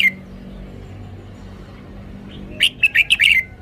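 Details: Red-whiskered bulbul singing one quick phrase of five or six bright, slurred chirps near the end, after a long quiet stretch with soft low hum.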